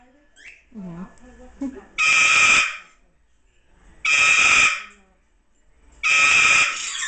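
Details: Umbrella cockatoo (Cacatua alba) giving its bedtime scream, not as loud as it can get: three loud, harsh, piercing screams about two seconds apart, each over half a second, after soft chatter and a brief voice.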